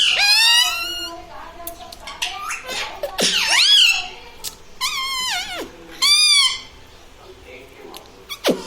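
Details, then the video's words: Parrot kept as a pet, said to speak "mummy papa" and "radhe radhe", produces several strongly harmonic, bending phrases with sharp falling ends, grouped in bursts with short gaps and a clicky, noisy background. "Talking mummy papa|| mummy vala parrot || mithu bolo radhe radhe"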